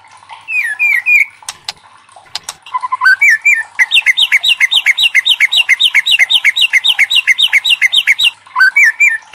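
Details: A White-rumped shama sings loudly as a lure to set other shamas singing. Brief slurred whistles give way to a long fast series of identical sharp whistled notes, repeated about four per second.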